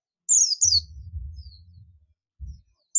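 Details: Oriental white-eye of the buxtoni form calling companions: two loud thin chirps dropping steeply in pitch, a faint softer note, then another chirp at the end, over a low rumbling thump.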